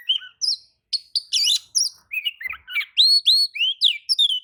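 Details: Oriental magpie-robin answering another magpie-robin's song: a varied run of clear whistles, slurred upsweeps and harsh buzzy notes, delivered in quick phrases with brief pauses between them.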